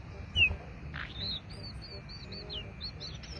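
Oriental magpie-robin chicks: a sharp falling whistle, then a run of thin, high, wavering chirps every fraction of a second over a low background rumble.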